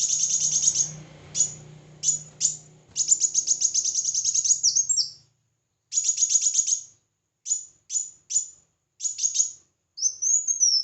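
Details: Red-whiskered bulbul competitive singing: dense bursts of high clipped chattering notes over a low droning hum, then sparser chip groups and a final rising whistle.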